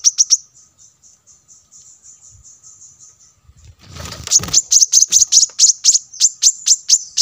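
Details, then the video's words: Brown-throated sunbird giving rapid, high, thin chips, about four a second, sharp and metallic, with a brief rustle midway; used as a lure call for wild sunbirds. "suara pancingan kolibri kelapa"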